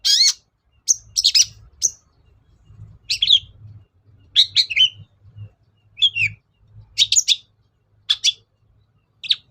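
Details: Cendet, or long-tailed shrike, lure singing aimed at provoking other birds to respond: scattered short, high squeaky and chippy phrases, spaced irregularly, with a faint low hum underneath.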